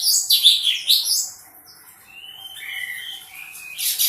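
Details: Bulbul in lively song: a loud burst of high, twittering chirps, a pause, then drawn-out level whistles and a final high chirp.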